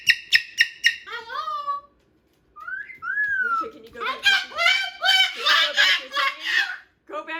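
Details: Loud Moluccan cockatoo, a pet male chewing a new box indoors, gives rapid harsh pulses and rising squawks, then breaks into several seconds of raucous broadband full-volume screaming.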